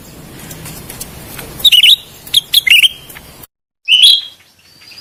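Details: Grey-bellied bulbul (cucak rante) song used as a lure and therapy sound: a few short bright warbled phrases after a hissy noisy start, a brief silent gap, then one more rising phrase.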